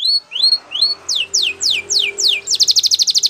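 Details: Spanish Timbrado canary training song: three slow rising whistles, then four sharp descending swoops, closing in a rapid pulsing metallic trill over a faint low hum.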